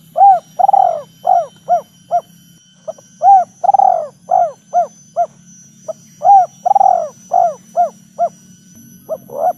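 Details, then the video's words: Spotted dove giving the lively 'kuk 3' style call, played to lure and prompt other doves to call: mellow, hollow coos in repeated phrases, each of short notes ending in a longer drawn-out coo, over a low steady hum and a thin high whine. "Suara Tekukur Gacor Kuk 3"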